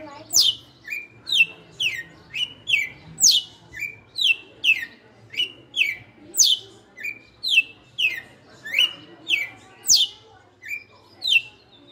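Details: Caged male-style veteran red-cowled cardinal, kept five years, singing in the açoite style: a steady run of sharp, down-slurred whistled notes, roughly two per second, each sliding from high to lower pitch, with a faint low hum behind.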